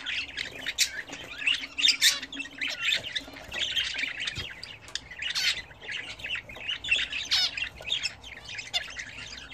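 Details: Pet budgerigars bathing for the first time in a newly fitted bath chatter constantly: rapid, scratchy warbles and squawks, high-pitched and overlapping, bursts every second or so with no pause.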